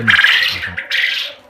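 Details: A male quail, sexed by its crow, gives a harsh, buzzy crow in two quick bursts, the second after a brief pause; crowing appears in males from about 35 days old. A man's low voice is heard at the start.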